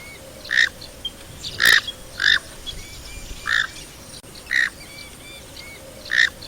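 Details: Knob-billed duck calling in brief, loud, nasal bursts, roughly seven of them spaced about half a second to a second apart, with soft whistled notes and a constant hissing background.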